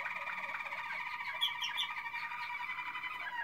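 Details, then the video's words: Malinois Waterslager canary from 2016 giving a dense continuous warbling trill, layered and bubbling, with a few higher chirps in the middle. "Malinois Waterslager 2016"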